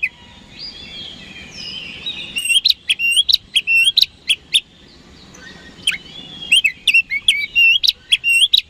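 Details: Oriental magpie-robin singing loudly as a daily provocation for rival birds: a soft warbled opening, then two bursts of rapid, sharp whistled notes separated by a quieter passage with a single downslurred whistle.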